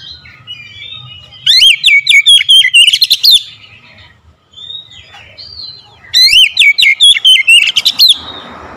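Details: Caged oriental magpie-robin kept as a household bird, prompted into full song: two strong bursts of fast, sharp whistles and trills lasting about two seconds each, with softer whistled notes between and faint background hum.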